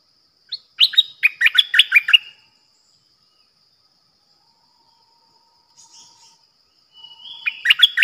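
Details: Decoy bulbul singing, recorded 8 May 2021: a quick run of loud, choppy warbled notes, a long pause, then a soft whistle leading into another rising burst of chatter; a faint high continuous tone underneath.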